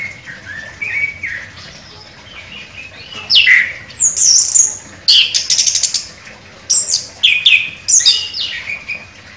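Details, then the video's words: A champion chestnut-capped thrush sings loud, varied phrases: sharp rising whistles and rapid buzzy trills, high-pitched, in bursts about a second apart. "ANIS KEMBANG JUARA NEMBAK TAJAM"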